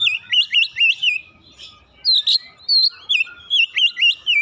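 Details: Oriental magpie-robin singing to stimulate a lazy singer: a rhythmic series of looping whistled notes, each dipping and rising, repeated about three times per second, with a short break midway.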